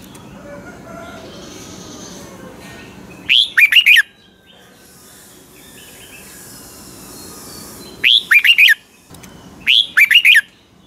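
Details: Caged Red-whiskered Bulbul of the Pa La-u line from Thailand singing 'double' style song: three short bursts of four or five quick whistled, looping notes, a long quiet gap before the first, then two close together near the end.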